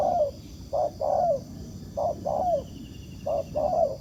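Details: Spotted dove, wild, cooing toward a decoy during trapping: three or four short-then-long falling double coos, mellow and low, with a steady background hum.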